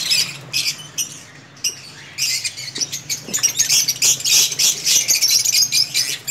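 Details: Lovebirds in a captive breeding colony, a dense chorus of shrill, high chirps and squawks overlapping rapidly, with bursts of wing flapping and short quieter gaps between louder stretches.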